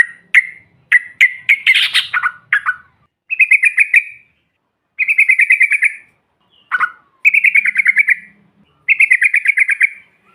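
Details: Yellow-vented bulbul calls meant to provoke other birds: short chirpy phrases and rapid trilled rattles lasting about a second each, separated by brief pauses, with faint higher chatter above and a quiet background.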